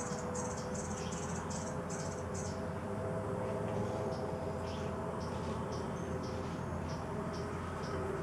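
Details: Sapphire-bellied hummingbird (Lepidopyga lilliae), a rare endemic, singing from its perch at the Salamanca NP parking lot in Colombia's Caribbean lowlands, November/December: thin, very high squeaky notes several a second, fading to softer scattered chips, over wind or distant traffic.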